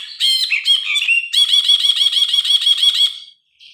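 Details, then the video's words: Grey-cheeked bulbul, an actively singing bird recorded by phone as a tutor for cage birds. A few mixed notes lead into a fast, steady series of rich, buzzy repeated notes lasting about two seconds, then a faint closing note. "Burung brinji kelabu gacor. Masteran burung.Suara burung brinji kelabu"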